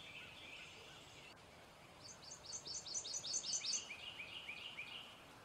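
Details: A male prothonotary warbler gives a brisk string of about eight piercing, repeated upslurred notes midway through, preceded by a faint high buzzy sound and followed by softer chirps from another bird.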